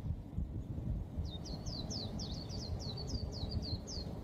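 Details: High-pitched white-eye song: about a dozen sharp, slurred chirps in quick succession, bright and thin against a muffled low hum.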